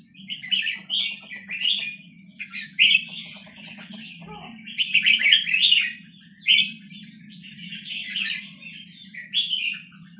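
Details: Wild Vietnamese red-whiskered bulbul, recorded as training song for young birds, delivers repeated short gurgling, whistled phrases every second or two, with a faint knock midway and a constant high-pitched tone and low hum.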